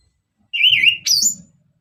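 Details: Orange-headed thrush singing energetically to prompt other birds: a wavering whistled phrase, then a sudden higher rising note, over a faint low rumble.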